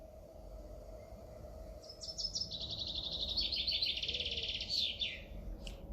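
A common chaffinch sings a bright, descending cascade of rapid trilled phrases lasting about three seconds and ending in a sharp flourish, over a faint steady hum.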